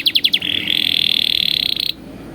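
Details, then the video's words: Atlantic canary, a training recording for canaries: four quick bright notes followed by a long, rapid buzzy trill held steady at a high pitch for over a second, then stopping abruptly. "MASTERAN PALING EFEKTIF BURUNG KENARI | COCOK UNTUK MASTERAN KENARI PAUD"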